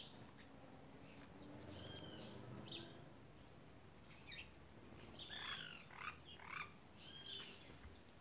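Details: White woodpecker gang taking over: squawky, nasal, downward-arched calls, first softer, then a loud rapid run of four or five harsh notes near the end.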